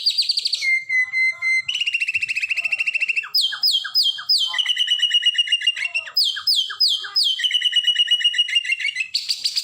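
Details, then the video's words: Caged white-rumped shama in Indonesia singing a long 'nembak roll kenari' song, used to train and build the mental strength of other shamas at home: loud rapid trills, buzzy rattles and repeated clipped whistled phrases, high-pitched and continuous, with clean background. "Suara murai nembak roll kenari"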